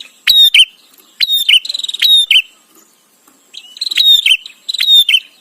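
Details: Bar-winged prinia singing for white-rumped shama training: repeated phrases of a high sharp whistle dropping into a buzzy note, some joined by fast ticking trills, in bursts with a short silent gap midway.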